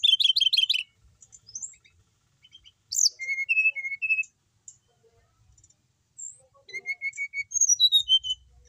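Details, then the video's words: Captive brown-chested jungle flycatcher singing actively: a loud fast rattle of high chirps, scattered soft notes, then a phrase of clear falling whistles, ending in quick repeated whistled notes stepping down in pitch. "Emang enak kalo punya burung srdc mapan, mau di apain aja tetap gacor,sikatan rimba dada coklat bali"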